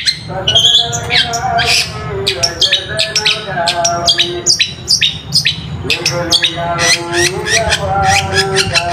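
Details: A long-tailed shrike song used as a lure to provoke quiet shrikes into singing: a fast, harsh run of squawks, rasps and sharp chirps, with lower buzzy notes underneath.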